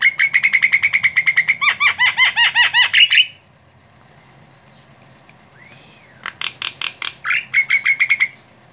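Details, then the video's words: Female Javan myna (jalak kebo) in lively song for training songbirds: a long rapid series of harsh, rattling notes that turns into looping whistles, then after a pause more rasping bursts and a rising whistle. "Suara burung jalak kebo betina gacoorr manggut manggut"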